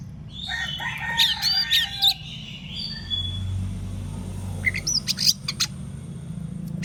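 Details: Oriental magpie-robin singing loudly in the morning, meant to make other magpie-robins answer; bursts of sharp whistled and chattering notes around the first two seconds, a quieter spell, then more clipped rising whistles near the end.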